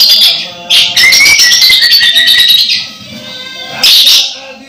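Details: Orange-headed thrush close to moulting yet still singing actively; loud high whistled phrases with bursts of sharp notes, separated by quieter gaps.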